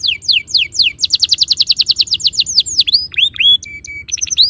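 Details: Canary master song: repeated high descending whistled notes, then a faster run of similar notes, followed by deep swooping slurs, short flat tones and quick high chirps.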